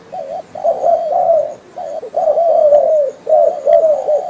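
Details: Spotted dove lure call for trapping: a male repeats husky, burry coo phrases, each a few quick notes slurring downward, separated by brief gaps, in steady close recording.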